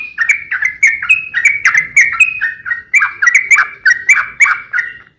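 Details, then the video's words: Lively song of a sooty-headed bulbul, used as a lure to get other bulbuls singing: an even stream of short, bubbly, whistled two-part notes, roughly three per second, in a quiet setting. "trucukan gacor ROPEL PANJANG"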